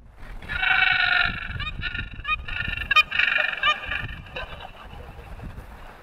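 A moorhen gives a loud, harsh, honking call, then a run of shorter clipped notes repeated several times a second. Faint low background rumble.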